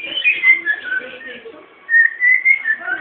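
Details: Whistled cockatiel melody from a home-raised bird: wavering sliding notes, a brief softer dip midway, then a bright series of level whistles.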